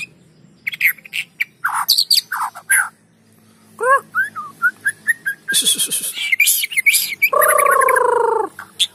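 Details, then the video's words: White-rumped shama song used to make other shamas sing: sharp chipping notes and slurred phrases, a string of short whistles, a dense buzzy trill, then a long harsh nasal note. "PANCINGAN MURAI BATU GACOR!! Murau Batu Malas Akan segera ikut Gacor"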